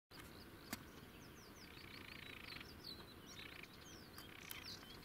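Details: A sedge warbler on the Tongplaat, alarmed at a person coming too close, gives quick, scratchy ticking and chattering alarm notes mixed with brief buzzy churrs, over a steady low background rumble.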